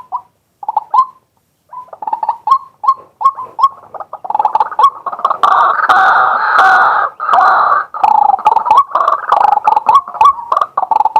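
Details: Male White-breasted waterhen in daytime, recorded live with a set camera: scattered short rising notes building into a sustained, loud, rasping croaking outburst, then returning to quick repeated clipped notes.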